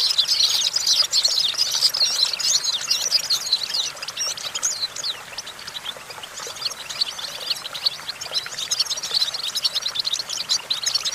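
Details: European goldfinch perched on a branch, singing a continuous, rapid twittering of high, tinkling and buzzy notes with short liquid trills, running steadily for the whole stretch without clear pauses.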